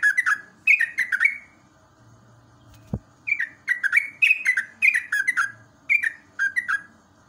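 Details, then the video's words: Morning recording of a yellow-vented bulbul's ropelan song, used to stimulate caged trucukan to sing; bursts of bubbly falling notes, broken by a short pause with one sharp click, then resuming in quick runs. "JOGJOG/TRUCUK ROPELAN SAKTI"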